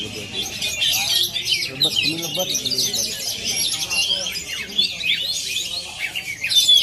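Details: Oriental magpie-robin from Aceh in performance, pouring out a dense, high, rapid stream of sweet whistles, trills and chattering notes, with low human voices murmuring in the background.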